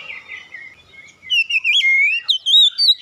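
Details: Oriental magpie-robin lure song meant to set other birds singing: soft warbling at first, then loud sweet whistles that rise and dip, ending in a quick series of high clear notes.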